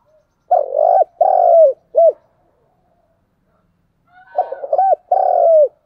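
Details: Spotted dove giving its lure call to stir other doves into calling: two phrases of deep, hollow coos, each ending in a short clipped note, separated by a silent gap of about two seconds. The second phrase opens with soft stuttering notes.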